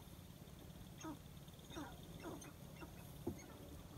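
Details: Sharp-tailed grouse dancing on a lek in Aitkin County, Minnesota, give about five short, hoarse clucking calls spaced roughly half a second apart, over a steady low wind rumble.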